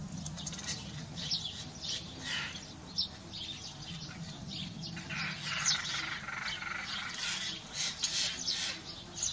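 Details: Rival European rollers contest a breeding site under a thatched roof in Hungary's Kiskunság, a territorial dispute lasting days; rough, grating calls come in irregular broadband strokes throughout, mixed with small-bird chirps and a steady low hum.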